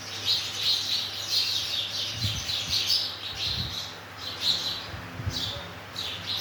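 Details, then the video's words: Sparrows in the morning: steady busy chirping from several birds, short bright notes overlapping in a continuous chatter, with faint low thumps beneath. "sparrows 🐦 🐦 🐦 in the morning"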